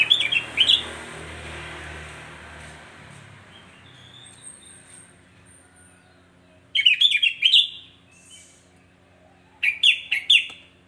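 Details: Sooty-headed bulbul song intended to make other bulbuls agitated: three clusters of quick, chirping whistled notes, with hiss and low rumble between the first and second bursts.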